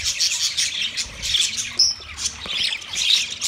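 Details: Yellow male budgerigar making mating chirps: dense, fast high chatter of squeaky notes, sharp whistled chirps and scratchy trills, with loud bursts roughly every half second.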